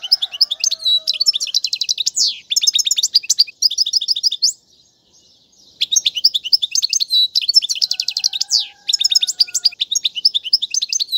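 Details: European goldfinch singing, a song used for teaching young birds, in styles called tiwawati, mandolin, casta casta and sirfati. Rapid liquid twittering with buzzy trills and slurred notes in long phrases, a pause near four seconds, then renewed singing; a faint low steady tone underneath.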